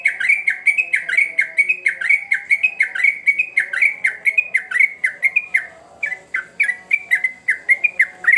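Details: Sooty-headed bulbul in full persistent song, used as a lure for young birds: quick chains of sharp whistled downslurs and upswept notes, a brief pause near the sixth second, then the rhythm resumes.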